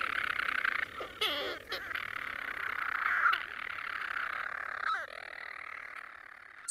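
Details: European storm-petrels nesting by the hundreds in the walls of Mousa Broch, an Iron Age tower on Mousa, at night give a strange purring churr broken by quick sharp chirrups and hiccup-like notes, likened to a fairy being sick, over rough hiss.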